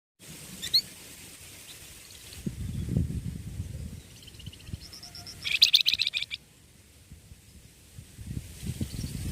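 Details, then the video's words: Young songbird kept as a tutor bird, singing: scattered thin high chirps, then a dense burst of sharp, rapid twittering notes near the middle before it falls quiet, over a steady low rumble with faint thumps. "BURUNG MASTERAN MUDA SEDANG BERKICAU"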